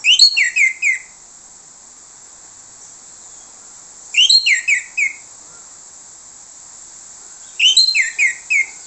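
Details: Orange-headed thrush lure song meant to attract other thrushes: three short bursts of whistled, slurred descending notes, each burst about a second long, repeated every few seconds with quiet between.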